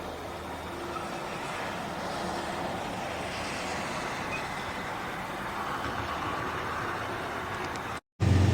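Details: Steady roar of road traffic with a brief dropout near the end, and no animal calls.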